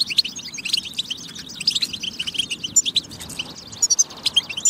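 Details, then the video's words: Goldfinch song used to stimulate others to sing: fast, high twittering with bright chirps and liquid trills, running without a break. "بتبة فتاكة لتحفيز الحسون على التغريد والجهوزية"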